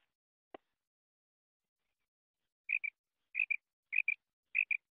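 A female quail gives four bright, high double notes, paired chips repeated about every half second, after one soft click.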